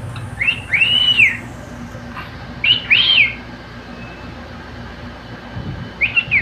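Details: Pet cockatiel singing with another bird: three clear, arched whistled phrases, each rising then falling, spaced about two seconds apart, with a low steady hum behind.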